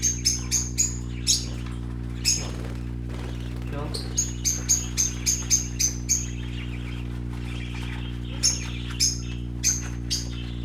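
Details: Young colourful parakeets at play give short, sharp high chirps in quick irregular bursts, some in tight runs of four or five, over a steady low hum with a person's voice briefly heard.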